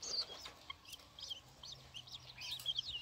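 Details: Six-day-old long-tailed shrike nestlings beg while being fed, with thin, high, squeaky chirps in quick, uneven bursts, several overlapping, over a faint low hum.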